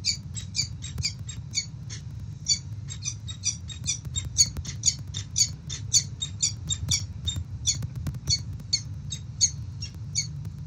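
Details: Peregrine falcon female at Melbourne, Australia, 8 October 2023, seemingly after a fight, giving a rapid series of harsh, high clipped notes, sometimes doubled, with brief pauses, above a constant low hum.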